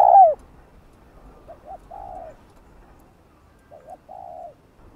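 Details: Spotted dove cooing to lure wild doves for trapping: one loud falling coo opens, followed by softer, more distant pairs of short notes and drawn-out low coos, with quiet gaps between.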